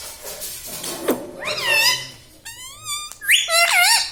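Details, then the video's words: Pet ringneck parrot indoors, trained to speak mummy, papa and radhe radhe; varied mimicked phrases, including a bent wavering note, a steady trembling tone and a bright rising-then-falling squeal. "parrots talking papa"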